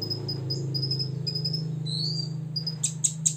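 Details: Olive-backed sunbird, six years old, singing to rile rivals: thin, high, sustained whistles in short repeated strokes, one rising slur, then a few sharp high ticks at the end, above a constant low mechanical hum.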